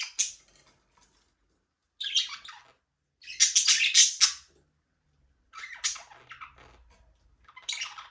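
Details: Australian parrots, budgerigars flying free in a small aviary, chatter in loud, scratchy chirping bursts of one to two seconds, with quieter gaps between, and no music.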